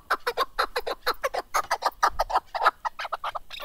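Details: Chukar partridge (keklik) calling in a fast, uneven chatter of throaty clucking notes, about two per second, loud and close.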